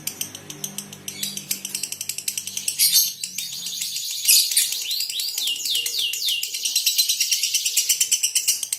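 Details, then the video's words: Colony of lovebirds with a 'konslet' female giving fast, rhythmic high ticking, then a dense passage of twittering, swooping chirps, and then ticking again. "Rawatan Love Bird Koloni ,konslet betina"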